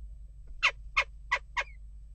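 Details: Four sharp, abrupt jackdaw calls spaced roughly a third of a second apart during ongoing disturbance at a nest box, each a brief harsh 'tchak', with a faint thin whistle trailing the last.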